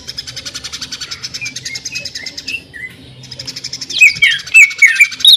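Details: Greater green leafbird singing the jamtrok tembakan sewing-machine style: a long train of fast, even ticking pulses with a few soft whistles, a short pause, then loud, sharp, looping whistled notes.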